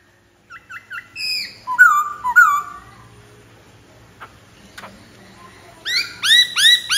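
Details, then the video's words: Black-throated laughingthrush whistling: short downslurred notes and longer falling whistles, a quiet spell with faint clicks, then a burst of rich, rising, ringing notes. "Khướu bạc má hót hay...!"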